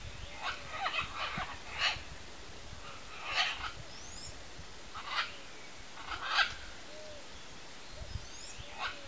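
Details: A wild pair of red-and-green macaws feeding on macaúba palm fruit in natural habitat; harsh, raspy broadband squawks repeated irregularly every second or two, some in short clusters, over quiet background with faint distant whistles.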